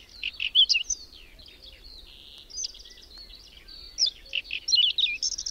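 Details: Whinchat (Saxicola rubetra) singing during a sudden May snowstorm with strong wind and cold, at the edge of Domzhyritsy, Berezinsky Biosphere Reserve, where several dozen pairs nest: quick, scratchy, high chattering and whistled phrases with a thin buzz, over wind rumble.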